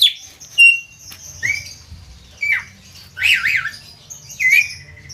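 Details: Javan myna, a kept bird singing, with sparse clear whistles, short rising slurs and a loud zigzag warbled phrase, separated by brief pauses over a low background hum.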